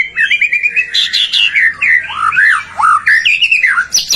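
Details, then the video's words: Energetic white-rumped shama song meant to provoke other shamas to sing: a quick chain of looping whistled notes that swoop up and down, with a faint low hum beneath. "Suara murai batu gacor AMPUH buat PANCINGAN murai batu agar BUNYI"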